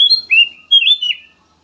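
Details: Black-naped oriole song, used as a lure to prompt other birds to sing: two clear, whistled phrases, the first rising, the second wavering and dropping at the end, on a quiet background.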